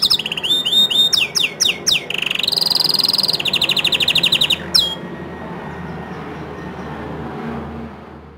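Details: Bottle-green canary song for tutoring young and untrained canaries: quick descending whistled sweeps, a buzzy sustained high trill, then a fast rattling trill that cuts off sharply, followed by about three seconds of faint background hiss.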